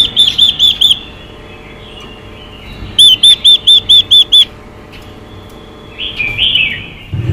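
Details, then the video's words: Female Chinese hwamei calling to rouse a male. A short run of five whistled notes, then a longer run of seven after a pause, and a rough sliding phrase near the end. "Quế lâm mái xùy kích trống căng lửa hót hay"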